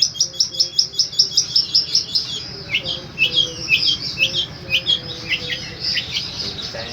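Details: Long-tailed shrike in powerful repeated 'tembakan' song: a quick series of sharp high ticking notes, then looser, varied whistled and slurred notes, with faint low tones underneath.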